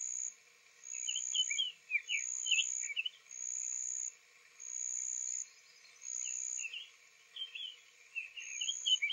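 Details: A male Summer Tanager at Owens Spring Tract, Lafayette County, Florida, on a spring morning (4/3/23), just back from migration, sings soft, warbled phrases in two short bursts, likely counter-singing with another nearby, over a steady pulsing buzzy insect trill.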